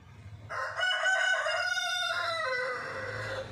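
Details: A white rooster gives one full crow, a loud harsh call that rises, holds steady for over a second, then falls away at the end.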